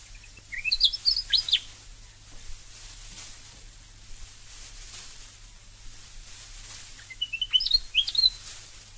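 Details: Willie Wagtail from a collection of Australian bird calls; two short bursts of sharp, high chattering notes rising and falling, one near the start and another near the end, over faint background noise and low hum.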